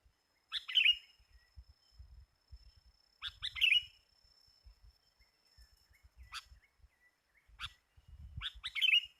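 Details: Sooty-headed bulbul at a bird-trapping site, described as very fierce: short bright chirping bursts, each a quick cluster of sharp notes sliding down, spaced a few seconds apart with quiet gaps and faint low thumps between.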